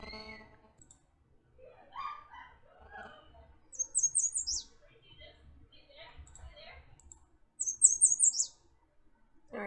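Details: American Redstart (Setophaga ruticilla) dawn song: two bursts of thin, very high notes, each ending in a sharp downslurred note, with a man talking quietly between the bursts.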